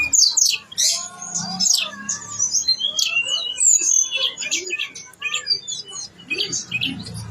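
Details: Blue-winged leafbird in full, lively song delivering all its imitated phrases: rapid sharp high notes and fast downslurred whistles tumbling together, with chirps and short rising phrases through the middle and end.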